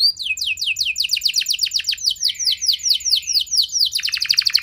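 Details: Singing canary, its song meant to make other canaries reply and sing at length: rapid series of falling whistled notes, about four per second, ending in a very high, dense buzzy trill.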